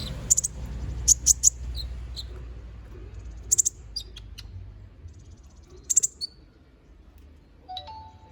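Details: Konin bird singing a lively gacor ngobra style used as a training song for magpie-robins: sharp, very high chirps in short bursts around one, three-and-a-half and six seconds, separated by quiet gaps, ending with a lower tonal note.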